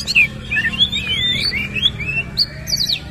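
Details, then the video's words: Oriental magpie-robin singing vigorously with rough fill-in phrases while spreading its tail: sliding whistles and twisting warbled notes run almost continuously, with sharp high chips near the end over a low steady hum. "KACER GACOR BONGKAR ISIAN KASAR BUKA EKOR"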